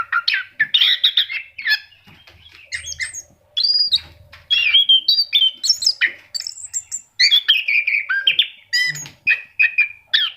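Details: Kept orange-headed thrush in full varied song: quick mimic-like chirps, trills and clear whistles in short bursts, some very high notes, a faint low hum in places.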